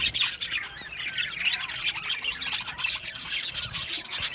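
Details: Budgerigars chirping together in an aviary colony: busy, continuous high warbling and squeaky chatter from many birds overlapping, with short squawks mixed in.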